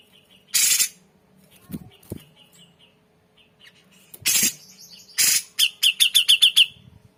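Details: Grey-cheeked bulbul song used as training audio for other songbirds: a quick run of about eight short, sharp, high chips at an even pace, after several loud rustling bursts and soft low sounds.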